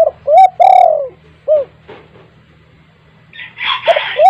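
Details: Spotted dove kept at home, its call used to get other doves calling: short coo, long falling coo and a further coo, with faint clicks and a burst of noisy chatter near the end.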